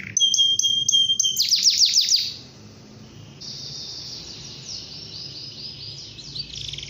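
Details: Morning canary song meant to set other canaries singing: whistled notes and a quick series of falling sweeps, then a quieter stretch with a soft, rapid trill in the background.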